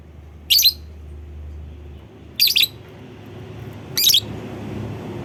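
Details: Lovebird calling to draw other lovebirds into calling: three sharp, piercing squeaky bursts roughly two seconds apart, each quick and high, against a constant low background hum.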